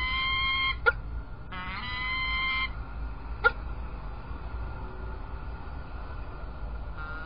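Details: Peregrine falcons at Illkirch-Graffenstaden, 3 February 2018: a short harmonic whine and a longer second wail, split by two sharp cracking clicks. Then comes a quieter stretch with a faint low drone.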